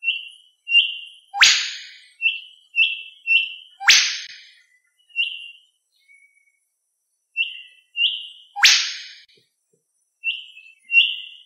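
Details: Olive Whistler: short, clear high whistled notes repeating about two a second, cut through by three loud whip-crack notes sweeping sharply upward.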